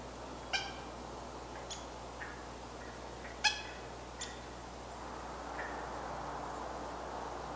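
A Cooper's hawk gives about six short, harsh, nasal calls at irregular intervals, some slightly drawn out, over a steady hiss of background noise.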